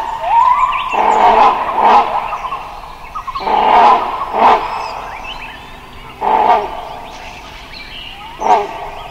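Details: Wild Great Hornbill giving loud, harsh, roaring barks in broad bursts, some drawn out and some clipped, spaced about every two to three seconds, with fainter small-bird chirping in the background.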